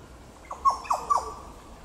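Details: Three fluid, descending whistled notes from a Yellow Oriole, delivered rapidly in one short phrase, at Goomboora Park in Cairns, Queensland, Australia, 9 September 2022.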